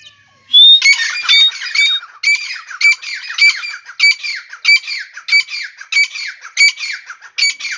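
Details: Grey francolin calling in the morning: loud, harsh, rasping notes in a rapid repeated series, roughly one and a half per second, each burst broad and grating with a bright upper edge, after a brief thin whistle at the start.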